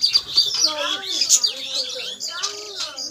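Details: Budgerigars in a colony where two pairs laid eggs a day apart: continuous high twittering and squeaky chirps in quick runs, with a man's voice talking beneath the birds.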